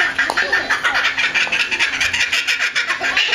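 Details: Laughing kookaburra at a zoo, 25 May 2011, giving a loud, rapid chuckling cackle of harsh repeated notes that truly sounds like laughter, running steadily throughout without pause.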